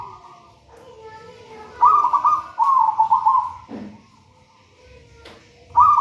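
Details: Wild local zebra dove, taken from a nest in a raja banana plant, singing: a low soft coo, then two loud trilled, rolling cooing phrases, a dull thump, and a final trilled phrase starting at the end.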